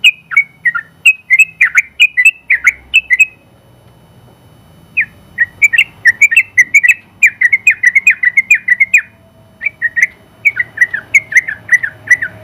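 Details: Contest-winning Sooty-headed bulbul in 'gacor' form delivering long 'ropel' singing for tutoring other bulbuls: chattering bursts of liquid, warbled whistles, a pause of nearly two seconds, then a fast run of bubbly notes to the end.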